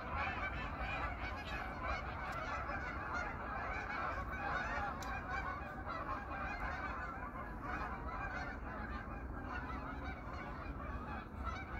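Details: Autumn evening at a pond where 500 to 800 geese gather for the winter: a constant clamour of harsh honks layered over one another, with a few sharp clicks and a low background rumble.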